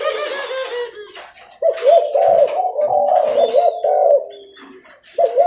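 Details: Spotted dove (derkuku leopard) in loud, frequent calling while walking. A short harmonic tone opens, then a dense run of arched coos follows, fading out and returning briefly at the end.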